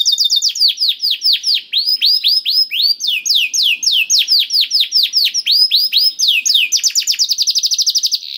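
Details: Continuous canary song to get a quiet canary singing: steady series of descending whistled notes about four per second, speeding into a very fast rolling trill at the end.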